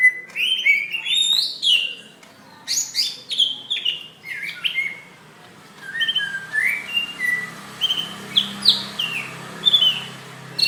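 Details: Greater green leafbird giving its fighting call, May 2016, used to provoke and train other leafbirds: a rich stream of swooping, falling whistles and quick chattering notes, softer later, with a faint low hum behind.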